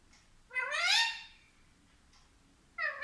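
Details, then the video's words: Parrot known as mitthu talking: one drawn-out, rising, meow-like harmonic utterance, and a second call starting at the very end. "कितना प्यारा बोलता है मिट्ठू ll Parrot Talking"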